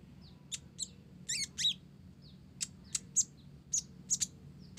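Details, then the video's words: Blorok-type olive-backed sunbird singing actively, its song filled with Java sparrow phrases: scattered sharp high chirps and short downslurred notes, some in quick clusters, over faint low background hum. "Konin Blorok Gacor isian Gelatik"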